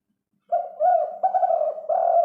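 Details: Spotted dove giving its five-note coo, used as a lure for other doves. Soft, low, mellow cooing notes in a short run, the first rising, then a steady series with brief breaks, in a quiet setting.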